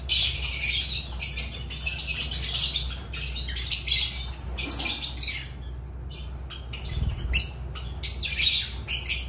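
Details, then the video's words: Lovebirds of the genus Agapornis giving harsh, buzzy squawks and chirps in dense overlapping bursts, high-pitched and rapid, with short pauses between clusters over a low steady hum. "Agapornis love birds sounds"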